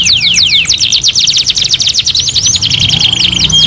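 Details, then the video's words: Canary singing a master song: quick descending sweeps, then a rapid rolling trill ending in a sustained flat whistle. "MASTERAN KENARI 2 IN 1 | CANARY SINGING"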